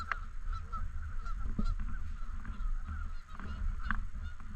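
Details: Canada geese in and around a park lake, a flock giving scattered nasal honks that overlap in short bursts over a steady low rumble of wind and handling noise.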